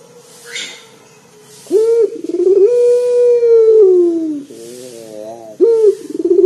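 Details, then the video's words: Local collared dove cooing deep and loud to lure other birds into singing; a sharp rolling onset, a long low sustained note sliding down, then another roll starting the next phrase. "PUTER LOKAL GACOR DOR SUARA BESAR NGEBAS 100% UNTUK PANCINGAN"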